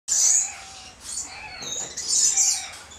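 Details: A captive Josephine's lorikeet (Charmosyna josefinae), recorded 24 August 2012, gives two shrill, high-pitched screechy bursts about two seconds apart, with thin whistled notes between them.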